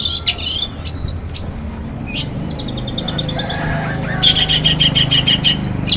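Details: Banyuwangi long-tailed shrike singing in the morning, a lure to make other shrikes sing: scattered sharp chips and brief scratchy notes, then a rapid even trill of high clicking notes, with steady low background hum.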